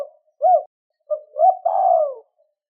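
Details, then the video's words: Spotted dove, two-ending coo for quickly drawing wild doves: an isolated soft note, then a pair of short coos running into one long, hoarse, slowly descending coo. "Tiếng chim cu 2 hậu gáy kích bổi nhanh nổi"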